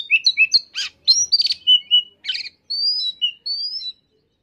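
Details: Oriental magpie-robin in full song: varied chirps and short rattling bursts give way to long, clean, slightly rising whistles.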